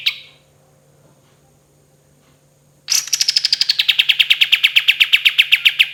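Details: Kapas tembak in vigorous song, recorded as a training tutor for other birds: a short high note, a pause, then a long rapid burst of bright repeated notes about four per second, gradually falling in pitch, with a steady low hum behind.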